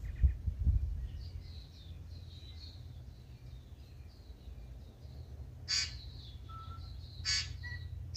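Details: Early-morning tūī in Manawatū, New Zealand, heard before sunrise: two separated harsh, rasping bursts with a short pure whistle between them. Soft high warbles run beneath, with low thumps at the start and constant low hum.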